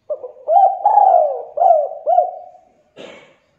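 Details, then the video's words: Spotted dove (derkuku, tekukur) calling, used as a lure to stimulate reluctant doves to call: a soft low rolling coo of several arched notes over about two seconds, then a brief rustling noise. "Pancingan Suara Derkuku Tekukur AMPUH atasi derkuku MALAS BUNYI"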